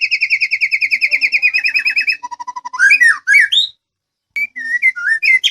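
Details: White-rumped shama of the Medan type singing to prompt other birds to answer. It gives a fast run of repeated, evenly pulsed whistled notes, then shifts to varied, looping whistles and chirps. A brief silence falls near the end.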